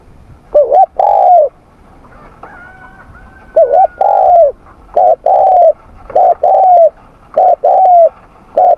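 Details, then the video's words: Spotted dove cooing in a morning training session, a steady series of paired phrases: a short up-down note and then a longer descending coo, repeated about every second, with a faint thin whistle in the background. "Tiếng Chim Cu Gáy// luyện giọng cu gáy buổi sáng"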